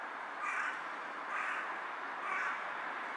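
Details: Carrion crow perched on a power line, bowing as it calls: three hoarse caws, each about a second apart, against a steady hiss of background noise.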